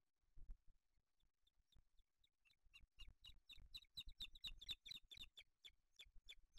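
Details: Booted eagle nest with chicks in Spain on 8 July 2023, the male arriving with a small bird; faint, sparse high notes that build into a steady, louder series of sharp chirps, with light knocking below.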